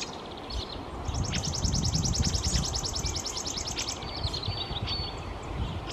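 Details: A Chipping Sparrow singing in a backyard gives a dry, rapid, even trill of high notes lasting about three seconds, over a steady low rumble of wind or distant traffic.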